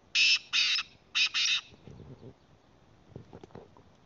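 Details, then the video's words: Harsh rasping phrase from a black francolin, or kala teetar, in Khyber Pakhtunkhwa, Pakistan: four loud buzzy notes, paired two and two, over about a second and a half. Faint low rustling and soft noises follow. "kala teetar k awaz||voice of kala teetar||کالا تیتر کی اواز"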